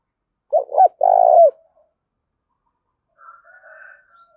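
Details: Spotted dove used as a decoy bird, calling to challenge rivals: a loud, clear phrase of two short coos followed by a longer sustained coo ending in a falling slur, then faint distant cooing afterwards.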